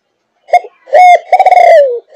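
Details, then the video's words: Single full coo phrase from a 5.5-month-old Malaysian-line spotted dove of the thúc gù style: a brief pickup note, a level hoarse coo, then a pulsing, trembling coo that slides down. "Cu Gáy Malaysia Dòng Thúc Gù 5,5 Tháng Tuổi"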